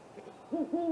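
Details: One of a great horned owl pair visiting a great gray owl snag nest at 8:50 pm on April 21 gives two deep, mellow hoots close together, low and nearly level in pitch, against an otherwise quiet night.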